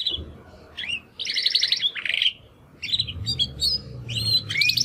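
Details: After their first molt, two young Timbrado canary brothers from the second 2020 breeding round attempt song: brief buzzy trilled bursts and chirps separated by short pauses, over a steady low background hum.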